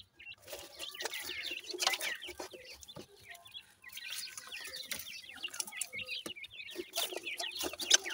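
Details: Teetar (francolin) chicks feeding, uttering a busy chorus of high, short, slurred cheeps that overlap throughout, broken by bursts of rustling and tapping noise.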